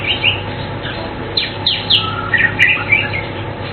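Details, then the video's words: Asian fairy-bluebird chirping a quick string of bright whistled and slurred notes, several sweeping downward, against a steady hissing background. "Blue Cucak Keling Bird Chirping Sound Melodious"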